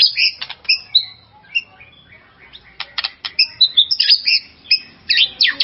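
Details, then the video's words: White-rumped shama song meant to rouse another shama: bursts of high whistles and harsh chattering notes, a quieter gap, then dense rapid mixed whistles and buzzes. "auto emosi dengar kicauan ini..."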